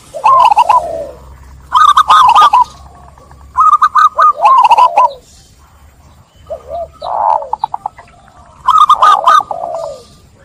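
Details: Zebra doves cooing as a lure sound to restart stressed, silent doves: repeated bursts of rapid, trilled coo phrases with lower sliding notes, several birds overlapping, short pauses between phrases.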